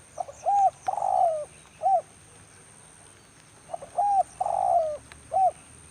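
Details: Spotted dove, a decoy bird calling in the rain during wild dove trapping; two repeated phrases of soft low coos, each a short note, a long drawn coo and a closing note, with constant rain noise behind.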